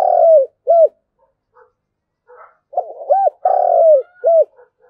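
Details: Spotted dove in 'thúc gù' style with thổ đồng voice, played to provoke wild doves into answering; low mellow coos: a long sliding note, a short arched hoot, then the same pattern repeated after a soft break.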